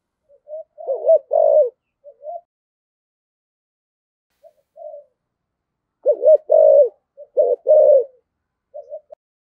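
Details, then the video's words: Spotted dove decoy calling in thổ sấm voice style, heard as scattered groups of low mellow coos: a rolling phrase early, a soft faint note midway, then two fuller phrases and a few short trailing hoots. "tiếng cu gáy giọng thổ sấm chuẩn Thúc Gù gáy Gọi căng lửa"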